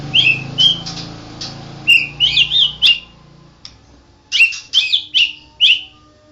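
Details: National champion white-rumped shama giving bright, high whistled notes in short clusters of two to four, with pauses between groups and a low hum faintly underneath.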